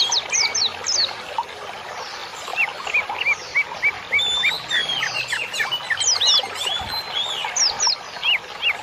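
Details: Training birdsong for caged birds: scattered high chips early, then a lively stretch of rapid up-and-down whistles and chirps that continues in bursts.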